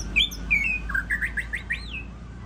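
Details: White-rumped shama in a bird singing contest, a champion singer, giving a quick series of clear whistled, slurred notes ending in a looping upward sweep.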